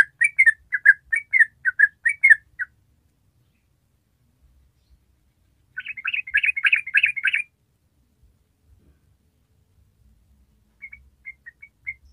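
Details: An original recording of a Yellow-vented Bulbul used as a lure to get other bulbuls singing: bubbly, chattering phrases of quick mid-pitched notes in two bursts, then a few softer notes near the end.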